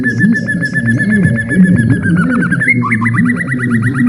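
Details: White-rumped shama giving a long flowing ngalun song, used to stir other birds and train young shamas; clear whistled notes near one pitch repeat rapidly, then rise into looping upward slurs, over a steady bed of low music.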